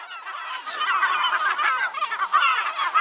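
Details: Caspian terns at a nesting colony on low islands in the Selenga River delta by Lake Baikal give a dense chorus of harsh, rasping calls that overlap steadily, with no pauses between callers.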